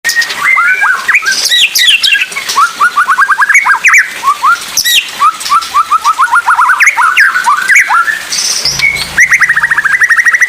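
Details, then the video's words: Oriental magpie-robin singing in the 'pastol' style, a recording meant for tutoring other magpie-robins; loud, varied song of rapid rising whistled notes, several fast trilled runs of upslurred notes around mid-pitch, with sharp high accents between phrases. "Suara Asli Murai Pastol Tembakan Maut COCOK BUAT Murai Belajar Bunyi"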